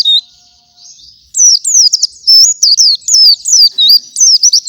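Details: A white-eye sings in the morning as a master song for other white-eyes; after a thin opening note and a short lull, a brisk series of high, looping chirps repeats almost three times a second.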